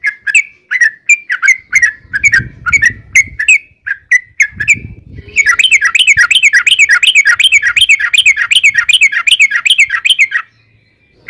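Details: Sooty-headed bulbul, gacor and ropel style, a lure recording meant to draw answering song: a series of separate short chirped notes, then a five-second stream of fast rolling chatter, with faint low rustling.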